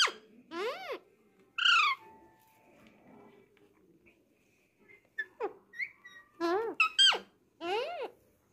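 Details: Indoor Alexandrine parakeet, a talking pet taught Hindi words: scattered arched harmonic syllables and quick sweeping notes, a long quiet stretch with faint soft sounds, then a dense burst of word-like calls toward the end.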